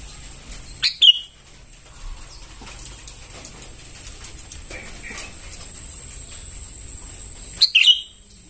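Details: Sooty-headed bulbul chicks calling, used as a lure: one burst of descending squeaky chirps early, a long quiet gap with faint murmurs, then a second similar burst near the end.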